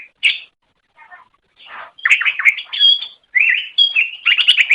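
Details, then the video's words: Greater green leafbird (cucak ijo) song from a recording for training songbirds: scattered soft chirps and a rasping note open, followed by dense, excited warbling with pure sustained whistles and sharp high ticks. "Ocehan Suara Burung Cucak Ijo"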